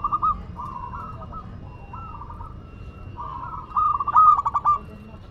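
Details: Local Madura zebra dove singing steadily: several soft, level cooing phrases, then a louder burst of quick stuttered notes toward the end, with low hum behind.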